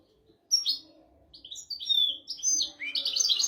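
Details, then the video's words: European goldfinch tutor song in 'royal' style, for teaching goldfinches and canaries: varied chirps and short slurred whistles build into a lively, jangling twitter of high notes. "تغريد طائر الحسون ملكي حفاضة لتعليم طيور الحسون والكناري بدون أخطاء"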